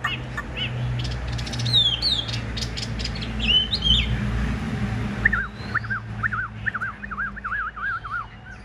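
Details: Big caged Chinese hwamei kept for fighting display: a few sharp buzzy notes and short whistles over steady low rumble, then a quick warbling series of wavering whistled notes.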